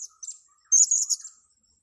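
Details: Sharp, very high squeaky chirps from a blue-crowned hanging parrot being lured, a short pair followed by a louder half-second chattering burst, then silence.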